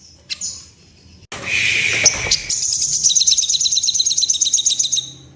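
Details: Sooty-headed bulbul in breeding condition, a call said to make other birds quiver their wings and display: a few high thin notes, a burst of noise, then a fast, high, even run of sharp chirps for about three seconds.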